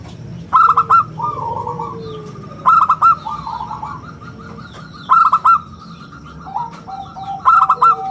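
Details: Local zebra dove in vigorous song, valued as a lure and teacher for other birds. Four crisp bursts of rapid ringing notes come roughly every two and a half seconds, with fainter lower cooing between them.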